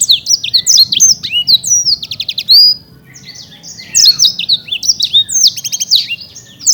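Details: Caged champion Black-throated canary from Bekasi singing energetically: dense runs of sharp, high whistled notes and quick downward sweeps, with a short pause midway before the jumble resumes.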